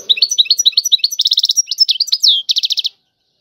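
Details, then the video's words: Tiwawati song from a European goldfinch: quick, high twittering notes leading into buzzy rattling trills, with a downward slurred whistle between them, ending after about three seconds. "اعظم تغريد الحسون طيواواطي"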